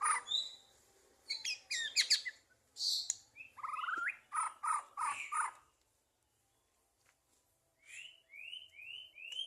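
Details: White-rumped shama, 2023, songbird contest context: loud scratchy bursts and downslurred notes, a quiet gap, then a series of four evenly spaced rising whistles.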